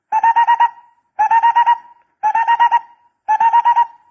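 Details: Barbet call used for decoy trapping: four evenly spaced bursts, each a quick run of five or six hollow, mid-pitched hooting notes, about one burst per second, with a clean, quiet background.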